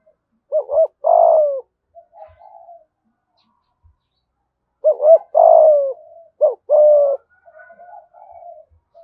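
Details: Spotted dove in Đồng Nai, Vietnam, cooing 'thúc gù' with a 'giọng thổ' voice: three repeated phrases, each two short notes and a longer sinking coo, with soft trailing murmurs between.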